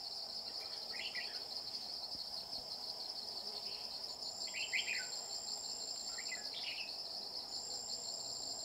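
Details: Red-whiskered bulbul during trapping with a caged decoy bird, aimed at a bell-voiced male; short warbled, slurred phrases repeated a few times against loud, steady high-pitched insect trilling.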